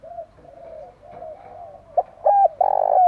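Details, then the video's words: Spotted dove song to stir up wild doves: soft distant coos repeated at first, then a loud nearby phrase of short notes rising into a long steady coo that falls away. "Tiếng chim cu gáy thúc đấu rú bổi gây ức chế rất cao, bổi lỳ mấy cũng gáy theo liền"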